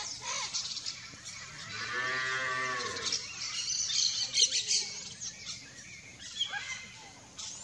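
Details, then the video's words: Wild Yellow-faced Parrot (Alipiopsitta xanthops) vocalizing: a drawn-out nasal squawk of about a second amid harsh chattering notes and thin high chirps. "PAPAGAIO-GALEGO canto"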